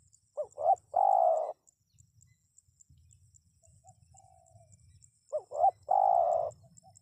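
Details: Spotted dove, recording used to lure wild birds into responding: two phrases, each with two short rising-falling coos followed by a long, steady, low hooted note, about four seconds apart, with a softer distant coo between them.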